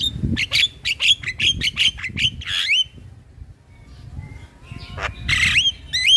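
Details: Male black-winged starling (jalak kebo) singing energetically, a training lure for young birds: a rapid run of short clipped whistles, a pause, then harsh burst and upward-sliding whistled notes.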